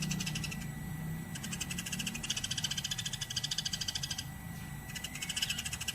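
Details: Eurasian tree sparrow chirping without a break, made as a tutoring track for songbirds: bursts of quick metallic chirps separated by brief pauses, over a low steady background hum.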